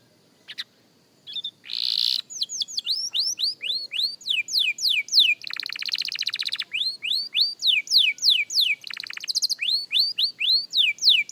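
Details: Young canary practising its song: after near silence and a brief harsh burst, a long series of clear, high, downward-swooping whistled notes repeated about three times per second, with a few buzzy rattling passages.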